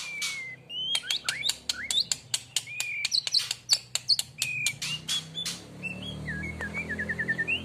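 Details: A young Aceh-type white-rumped shama sings in the "Hormat Wasit" style. Sharp repeated clicks are mixed with short rising whistles. The song ends in a quick, descending series of trilled whistles, with a faint low hum behind it.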